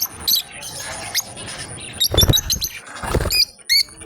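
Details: Two lovebirds playing together: sharp high chirps scattered between bouts of rustling and fluttering, with a couple of short chirp clusters toward the end.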